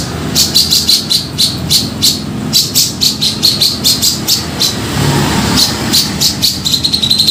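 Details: Grey-cheeked bulbul calling to lure birds for trapping: clusters of sharp chirps in uneven bursts, ending in a quick rattling series, over loud car and road noise.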